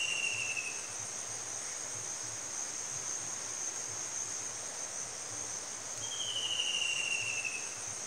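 A white-throated kingfisher gives two high, drawn-out, slightly falling trilled calls about six seconds apart, over a steady high buzz of crickets.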